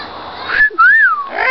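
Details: Talking pet parrot at home with its owner: a short flat whistle followed by a smooth, pure whistled note that rises and then falls, then a softer buzzy sound at the end.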